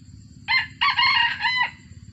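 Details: A captive F1 junglefowl bred from wild stock gives one short, hoarse crow in three quick bursts, the last cut off abruptly, over a low steady background hum.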